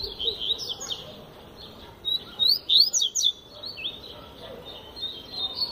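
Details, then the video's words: Double-collared seedeater song in the tui tui zel zel style, sung with great vigour: high chirped and slurred notes, building to a loud cluster of sharp rising whistles in the middle, then trailing warbles. "Coleiro Flash Tui Tui Zel Zel Canta Muito Fibra Absurda"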